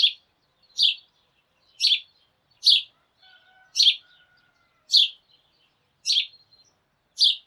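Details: Morning chorus of a sparrow flock calling together: sharp, high chirps repeated steadily, nine in about seven seconds, with soft, faint whistles in the background midway.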